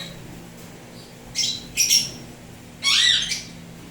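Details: Indoor pet Indian ringneck parrots of turquoise blue and turquoise blue harlequin colouring utter sharp, shrill squawks: two quick bursts, then a longer grating screech with a bending tone, against steady low hum.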